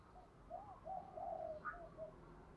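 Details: Spotted dove cooing in the 'giọng thổ' singing style, played to stir wild doves into cooing: a soft series of low, hollow coos rising and falling, then one brighter higher note, over a faint steady background hum.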